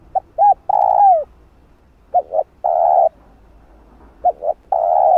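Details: Spotted dove coo sequence played for luring wild birds: three phrases, each two short clipped notes then a long steady coo, spaced about two seconds apart, no other sounds.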